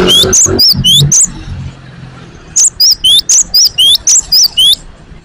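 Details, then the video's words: Great tit (gelatik batu) singing right after caging: quick bursts of bright see-saw whistles, a short run, then a longer series of about nine. Low thumps and rustling sound at the start. "BARU DI GANTENG LANGSUNG BUNYI ??? gelatik batu gacor"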